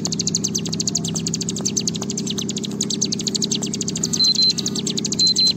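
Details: Continuous high, dry chattering trill of a bar-winged prinia in 'ngebren' style, used as a lure for singing: fast repeated notes throughout, short pure beep-like tones near the end, low background hum.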